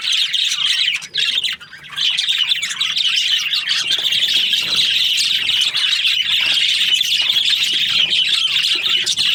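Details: Budgerigars in an aviary of breeding pairs, a crowd of birds chirping and twittering in a high, unbroken chorus; a short lull early on, then steady dense chatter to the end.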